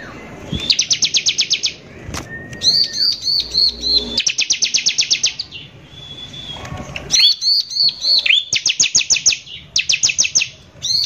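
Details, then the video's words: Vigorous bar-winged prinia song used to stir up rival prinias: repeated bursts of fast buzzy high trills broken by looping whistled phrases and a few lower steady whistles, with short quiet gaps. "PANCINGAN CIBLEK GACOR NEMBAK KASAR INI PALING BISA BIKIN CIBLEK EMOSI"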